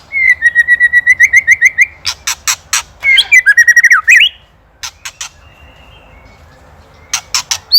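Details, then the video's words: White-rumped shama, Indonesian master recording for songbird training: about ten evenly repeated whistled notes, then loud dry ketrekan rattling clicks mixed with slurred whistles, a quiet stretch, and more clicks. "LANGSUNG EMOSI | KETREKAN PREDATOR | MASTERAN MURAI | SHAMA BIRD INDONESIA"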